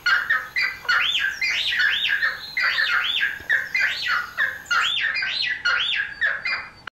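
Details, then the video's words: A Cheer pheasant in the Nainital Himalaya starts calling, giving loud, harsh squawking notes, each rising and falling in an arched shape, repeated rapidly about twice a second in a continuous series. "Cheer Pheasant Started Calling"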